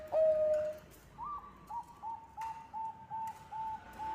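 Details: Zebra dove, Bangkok type, sung as a lure: one loud low coo followed by a fainter line of short, higher cooing notes spaced about a third of a second apart.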